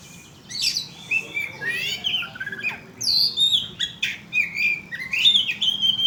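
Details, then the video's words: Oriental magpie-robin lure song used to provoke other birds: loud, varied phrases of sharp whistles, rising and falling slurs and buzzy notes, delivered in quick bursts with short gaps, over a faint low hum. "Pancingan kacer bunyi"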